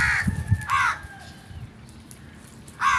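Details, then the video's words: Crow calling in the morning: three harsh, buzzy caws with rich harmonics, one at the start, one near the middle, and one at the end, separated by quieter gaps with low background rumble and faint distant bird notes. "Birds Nice Morning Sounds | Crows Sounds"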